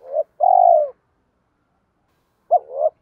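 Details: Spotted dove fighting coo meant to lure wild doves during trapping: a long, level, low coo ending a phrase, a long silence, then a short hooked note and a softer rising coo.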